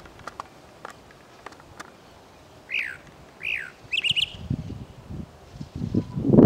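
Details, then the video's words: A Chalk-browed mockingbird (Mimus saturninus) in the urban area of Presidente Prudente, São Paulo, gives two slurred, arching whistled notes, then a quick burst of sharper chattering notes, over low rumbling background noise. "Mimus saturninus (Sabiá-do-campo/Chalk-browed Mockingbird)"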